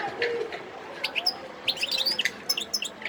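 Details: Wild European goldfinch in Sidi Bel Abbes, 17 December 2021, giving scattered thin, high chirps and short tinkling notes with small pauses, over a soft background hum.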